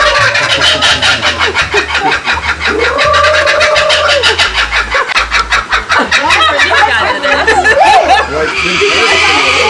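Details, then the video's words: Laughing kookaburras at Bee City Zoo in Cottageville, South Carolina, recorded July 21, 2021: a long run of rapid, harsh cackling pulses, later mixed with warbling notes and voices, over a low steady background beat. "On the other hand, the kookaburras were fun to listen to. Yes, they are the laughing kookaburras."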